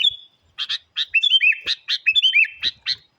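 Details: Very vocal sooty-headed bulbul song for challenging wild birds: a sustained whistle, then a run of chirps interleaved with short arched, bouncing whistled notes, quick and rhythmic.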